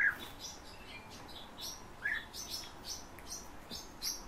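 European bee-eaters give short, liquid chirps, two clear calls about two seconds apart, with softer higher twitters between them.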